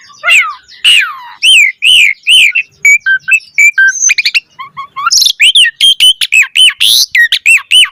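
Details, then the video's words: Asian pied starling in energetic trigger song, fast and varied: curving whistled notes and brief clicks build into a dense, rapid sequence of bright rising-falling whistles. "Pancingan Jalak Suren Gacor Mompa Variasi Suara Burung Kicau Cepat NYAUT Gacor Full Isian Mewah"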